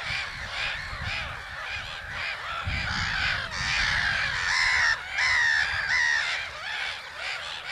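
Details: Black-headed gulls at Haaksbergerveen in Twente, Netherlands, a crowded colony of harsh, grating, cawing calls layered continuously, some drawn-out screeching notes standing out toward the end.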